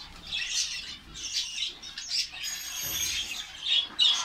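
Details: Finch colony kept in Saudi Arabia, bursts of high twittering from several birds separated by short lulls, a faint thin whistle, then sharp chirps at the end amid wing flutters.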